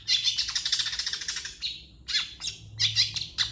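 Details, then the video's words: Long-tailed shrike training song: a fast, even chatter of rasping pulses for about one and a half seconds, then a pause followed by separate harsh squawks and chips. "MASTERAN CENDET GACOR"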